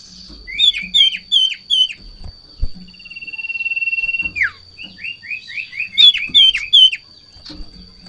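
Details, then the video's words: An Ashy Tailorbird, agitated and in peak breeding condition, the kind that jumps about on seeing a rival or female, gives rapid runs of sharp, high chirps in quick bursts with one long steady whistle between, over a thin constant hum. "Sirtu Ngamuk Narung"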